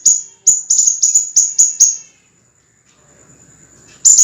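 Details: Scarlet minivet, recorded as master song for cage birds: a quick run of clear, high, falling whistled notes, then nearly two seconds of quiet with faint low murmur before the notes resume.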